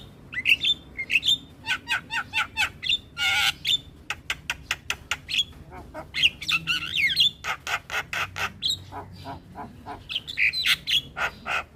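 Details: Javan pied starling in morning song, played so young starlings learn it: a long, busy stream of rapid harsh chatters, crackling buzzes and thin whistled slurs, nearly unbroken for twelve seconds.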